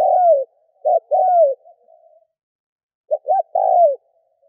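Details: Lure call of a spotted dove for drawing in other doves: two quick clipped notes and a longer downward-sliding coo, heard twice with a gap between.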